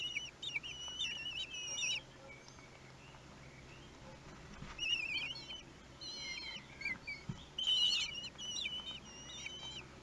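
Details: Common kestrel nestlings aged one week begging as they are fed, Théding, 31 May 2020; two main flurries of high, wavering, stepped calls separated by a quieter stretch of hiss.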